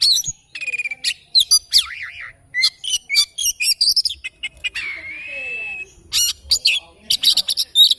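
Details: Oriental magpie-robin's morning song: quick bursts of chirps and trills, a wavering warbled whistle, and a long drawn-out rising whistle near the middle, phrases following closely.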